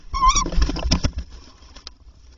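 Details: Tawny owl during a night-time prey handover in April, when the male brought three prey items before 1 a.m. A brief wavering harmonic call opens, followed by rustling, thumps and low rumbling noise.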